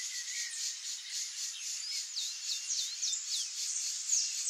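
A flock of Brazilian Teal gives thin, high whistles, many short down-slurred notes overlapping rapidly from several birds, over a soft background hiss.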